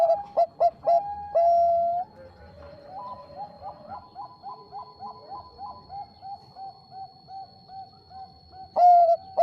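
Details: Bangkok zebra dove used to provoke rivals, with a loud, melodious voice. Loud clipped notes and a long held note open the recording. A rhythmic run of quieter coos from other doves follows, and the strong voice returns at the end.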